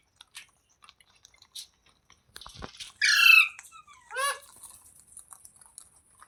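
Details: Soft clicks and rustles, then a loud harsh parrot squawk and a shorter raspy call a second later, followed by quiet ticking sounds.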